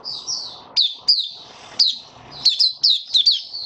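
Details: White-eye singing in a cage on 23 March 2022 in warm humid weather: high thin warbling broken by sharp descending chip notes about every half second, over faint low room noise.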